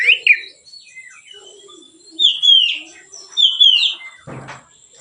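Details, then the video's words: White-rumped shama singing in a relaxed style as a training lure: scattered soft notes, then two loud, bright whistled phrases dipping and rising, ending with a brief low rattle. "suara Kacer ngeplong santai, pancingan / masteran Kacer"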